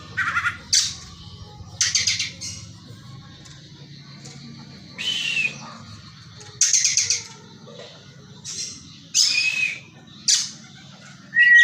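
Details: Kacer, or Oriental magpie-robin, delivering tengkek buto (kingfisher) material: short squawking, rasping bursts mixed with sharp whistled notes, spaced one to two seconds apart over a steady low hum.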